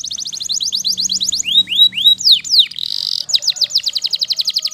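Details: Singing Waterslager canary alternating quick falling notes, a few slower swooping whistles, a short buzzy burst, then another steady run of rapid descending notes.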